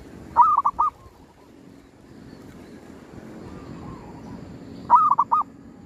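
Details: Zebra dove calling at a cemetery, a bird used to lure wild doves. Two bright phrases of rapid, mellow cooing notes come about four and a half seconds apart, with a faint coo between them.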